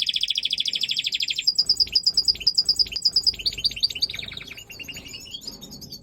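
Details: Major goldfinch, a large European goldfinch form, singing during breeding time: fast liquid twittering song opening with a rapid buzzy trill, then bright tinkling notes, chirps and short rising whistles tumbling together at high pitch.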